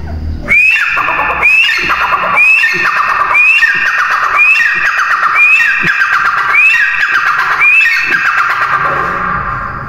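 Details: Repeated loud call of a grey francolin: about eight strident phrases, each rising sharply then breaking into a descending, scratchy cascade, spaced around a second apart with a steady, insistent rhythm.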